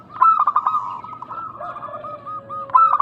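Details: Zebra doves, local type, on a call-back lure: a loud quick stuttering phrase, a lower drawn note underneath, then a few spaced coos and another burst at the end.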